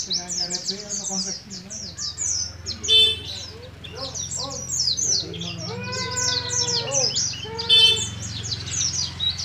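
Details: Kept Oriental white-eye (pleci) from Moga, Pemalang, Central Java, young and just starting ngalas ngeroll singing. High, rapid twittering streams throughout, while lower, drawn-out harmonic sounds rise and fall near the middle and toward the end.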